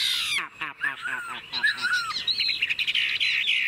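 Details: Chinese hwamei in a cage giving quick, harsh down-slurred notes in a rapid series, then short whistled slurs and a scratchy, warbling trill, with a man talking softly in the background.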